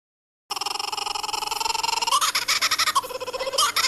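A kookaburra's laugh: a fast run of rough, stuttering notes that climbs and quickens, then bursts into loud, raucous cackling.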